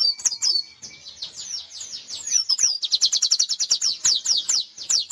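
An Oriental white-eye sings high, sweeping chirps, then a fast, insistent run of bright notes, about ten each second, in a canary-like imitation.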